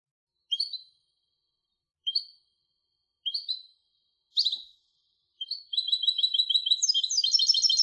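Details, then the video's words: European goldfinch hybrid singing: four short, high chirped notes spaced about 1.5 seconds apart, then a fast, bright, continuous trill of rapid twittering. No other sounds. "تغريد هجين الحسون Canto De Mixto del Jilguero"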